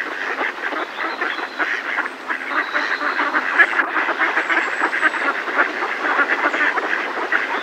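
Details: Alarm calls from a Mallard flock in a decoy, recorded near the birds: a constant raucous chorus of nasal quacks, with overlapping voices throughout.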